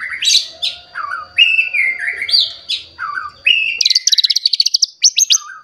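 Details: White-rumped shama, agitated and seeking a rival, pouring out its learned fill repertoire: loud varied whistled phrases sliding between high and low notes, ending in a fast run of sharp high ticking notes and a final low whistle.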